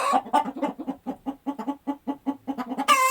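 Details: Chicken after laying an egg: a steady string of short, soft clucks, about four a second, ending with the start of one loud squawk.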